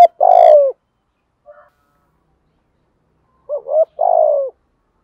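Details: Decoy spotted dove cooing to make wild doves call back: two deep, mellow cooing phrases, each a short stuttered lead-in and then a longer drawn-out coo, separated by a few seconds of silence.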